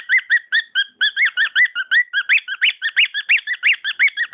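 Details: Domestic cockatiel song: a steady chain of quick whistled chirps, several sharply upswept notes standing out near the end, about three notes per second.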